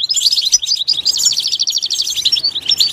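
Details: Goldfinch in a natural setting pours out a rapid, high twitter with a quick repeated trill in the middle and tinkling, buzzy notes throughout.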